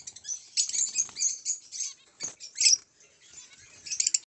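Zebra finch giving rapid, buzzy, high chattering notes in uneven bursts, with a harsher nasal note near the middle and a brief pause before the final burst.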